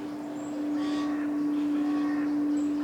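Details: Eurasian jays in a large woodland in Wales in July, possibly while feeding chicks, give two harsh, raspy bursts, each about half a second long, over a steady low electrical hum.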